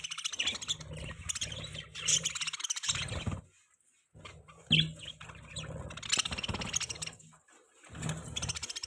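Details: Budgie chattering almost without pause, a busy warble of high scratchy notes broken by one brief silence, over a low constant hum.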